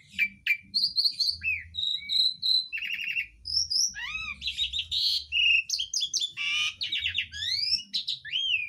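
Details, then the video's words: Asian pied starling song packed with mimicry of other birds, including green leafbird, magpie robin and sooty-headed bulbul; a rapid, varied stream of clear whistles, buzzy trills, sweeping slurs and chattering notes, continuous and loud throughout. "JALAK UREN ISIAN MEWAH"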